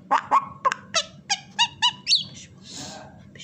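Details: A pet female common myna mimics indoors in a rapid string of about eight harsh, nasal, bark-like notes, then a rising whistle and a rasping hiss; it imitates horse, duck and hen sounds and whistles.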